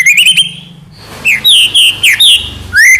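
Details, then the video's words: White-rumped shama producing clear whistled phrases: a wavering tone, then rising and falling slurred notes in quick succession, ending with a rising whistle; faint low hum underneath. "#muraibatutrotolgacor #burung #murai"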